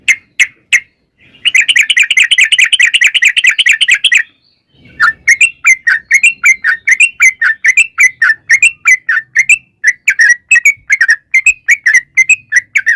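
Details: Sooty-headed bulbul in full song, a long rapid 'ropel' used as a lure to make other birds answer: a few short notes, then a dense fast chattering trill lasting about three seconds, then a pause and a string of quick sharp chirps.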